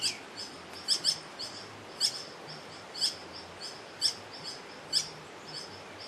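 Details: Green hermit (Phaethornis guy) giving sharp, high, thin squeaky notes repeated about once per second, some doubled, over a steady low hum and faint background chirps.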